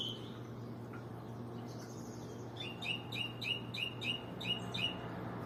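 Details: Bird song opening with a couple of thin notes, then a quick regular series of about seven bright, sharply bending chirps, with a low hum throughout.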